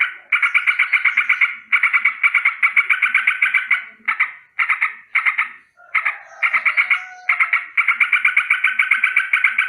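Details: Sooty-headed bulbul rolling out a continuous alarm in the morning, a warning of danger. Long bursts of fast, harsh chatter are broken by brief gaps, with a thin whistled tone briefly behind it.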